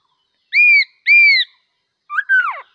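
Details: Two loud, even, slightly arched whistles from a bulbul, then a brief burst of rougher, tumbling notes sliding downward.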